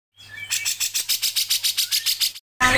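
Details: Grey-cheeked bulbul (cucak jenggot), a tutor recording for songbird keepers, in a fast, tight 'ngepik' style: a rapid run of about fourteen sharp, buzzy chip notes, evenly spaced, then a brief silence and a loud burst, over a low steady hum.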